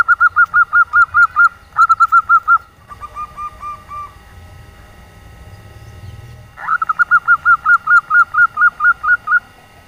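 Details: Female zebra dove of local nyelir type, calling to draw in males that rarely call. Rapid trains of short, even whistled notes about seven per second, broken by pauses and a brief rising slide before the last burst.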